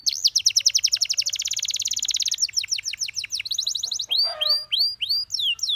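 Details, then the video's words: Canary song: a rapid trill of repeated high notes, then slower swooping down-slurred whistles and a brief harsh burst, all clear and close. "How Beautiful The Sound of Dancing Canaries That Many People Like"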